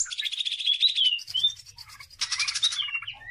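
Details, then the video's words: Greater green leafbird in full song, meant as a training lure for other birds: two bursts of harsh, buzzy chatter, each with a bright whistled note inside, separated by softer twittering and a short gap. "CUCAK IJO GACOR || COCOK BUAT PANCINGAN"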